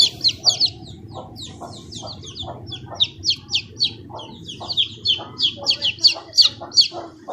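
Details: Multiple chicken chicks peeping in shrill, falling chirps, some softer and farther, others loud and close, running irregularly about three a second against a faint low rumble.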